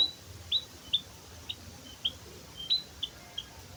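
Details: White-headed munia, plain song without added filler phrases: thin, high, whistled upslurred notes repeated irregularly, about ten within four seconds, over a low background hum.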